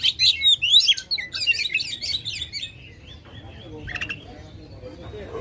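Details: Oriental magpie-robin giving a loud, rich song meant to rouse contest birds: a busy opening of rapid whistles and trills, then quieter drawn-out whistles and a brief harsh burst.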